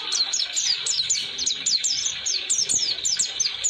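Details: Oriental white-eye (pleci) in 'roll durasi' song, a tutoring recording for young white-eyes: evenly spaced, sharply falling high chirps, about four each second, run on without a break.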